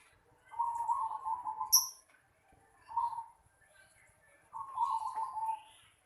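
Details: A zebra dove calls from a home yard: a long purring trill, a brief coo and another long trill of rapid low notes, plus one short high chirp near the start.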